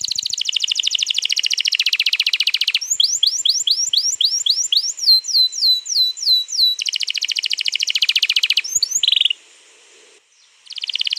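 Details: Long rolling canary song played to prompt a canary to sing, 21 April 2022: buzzy rapid roll, then a string of sweeping whistled notes, another roll, and a brief pause before the trill resumes.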